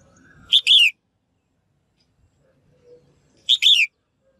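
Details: Female bird giving a melodious call meant to prompt males to sing; a sharp chirp runs into a bright downward-sweeping note, repeated once after roughly three seconds, with near silence between.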